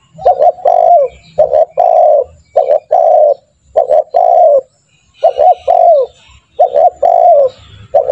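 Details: Lure recording of a spotted dove calling hard, meant to make trained doves call quickly. A steady run of cooing phrases, each short double notes and a longer falling coo, repeated about every second with a brief gap midway.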